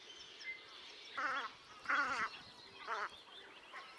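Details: Velvet scoter at Liepāja, Latvia, March 2024: three nasal, vibrating calls roughly a second apart, the middle one loudest, over soft background noise and faint high notes.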